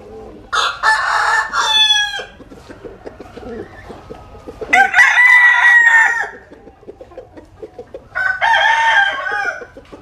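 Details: Roosters basking in the sun in the Mekong Delta, Vietnam, crow three times in ten seconds, each crow loud and harmonic, with low clucking between them.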